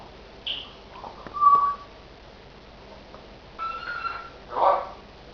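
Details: Pet African grey parrot giving scattered sounds: a short high note, then a clear pure whistle held briefly, later a buzzy harmonic phrase and a final rough burst, with long quiet gaps between.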